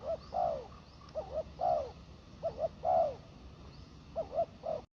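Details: Spotted dove at a ground decoy giving mellow coos, paired short notes each leading into a drawn-out purring coo, in a phrase repeated several times against faint hiss.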